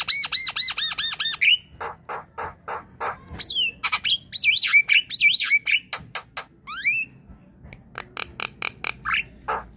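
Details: Javan myna chatter meant to coax a quiet bird into song: rapid repeated arching notes, then a long, varied mix of sharp clicks, rising and falling whistles and buzzy squeaks, repeated in quick bursts.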